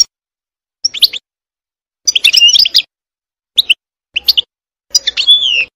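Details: European goldfinch singing wild in a forest: scattered short twittering phrases of high, tinkling and buzzy notes, the last phrase ending in a drawn-out buzzy slur.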